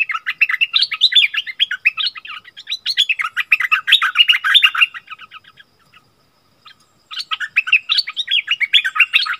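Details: Striated bulbuls, wild birds, argue fiercely, giving fast, dense bursts of bright chattering notes, several a second, then a brief pause before the chatter resumes.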